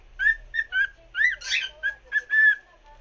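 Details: A cockatiel sings for another cockatiel, a quick whistled song of clear, mid-pitched notes, about eight short phrases in three seconds, with a harsher rising chatter in the middle.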